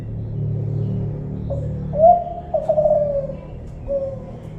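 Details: Spotted dove, Kelantan type, after a background rumble: a short coo, a louder rising coo, a long wavering descending coo, and a soft final coo.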